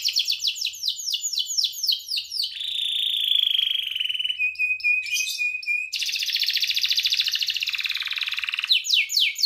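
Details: Afternoon practice song of a young canary learning to sing: unbroken and varied, with fast repeated downward-sweeping notes, a rolling buzzy trill, a steady thin whistled tone, then more rapid trills and sweeps.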